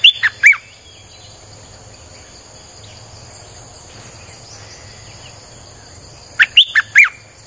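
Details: Streak-eared bulbul 'sap dok' lure song: a rapid burst of sharp chirps opens, six seconds of faint background birds follow, then another quick phrase of four bright slurred notes.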